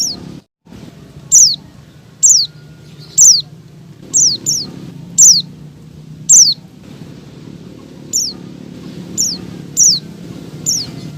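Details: Calling female Oriental white-eye, meant to draw a male into song: a steady series of sharp, high, downslurred chips, about one per second, some in quick pairs, above a low hum.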